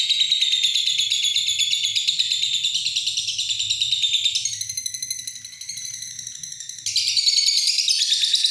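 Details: Lovebird delivering an extended "ngekek" chatter: a sustained, very high, piercing trill pulsing quickly, briefly softening midway and then rising again in pitch and loudness.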